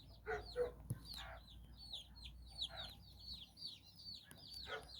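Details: Nine chicks roam with their mother hen in Bizkaia, Basque Country, giving steady high, downward-sliding peeps, roughly three every second, with a few soft, low hen clucks mixed in at a quiet level.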